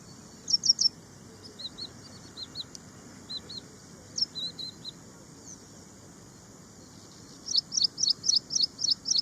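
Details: Ashy prinia song: scattered short bursts of high, thin notes, then near the end a fast run of about eight sharp, evenly repeated high notes, over a constant faint high-pitched hiss.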